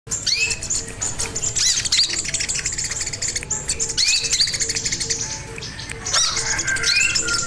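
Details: Crimson sunbird singing actively, recorded as a lure and master for training other birds: rapid high thin chirps and short upswept whistled notes in quick runs, with a faint steady low hum of repeated dashes underneath.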